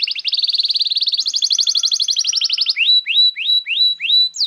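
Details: A canary song used to tutor young canaries and to prompt silent ones to sing: a fast, rolling trill of rapid buzzy notes stepping up in pitch, then clear upslurred whistles about one each half second.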